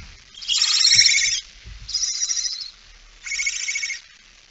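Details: Barn owl, female with a mouse, 17 September 2019 at 06:11; three breathy, rasping screeches, the first longest and loudest, with soft rustling knocks in between.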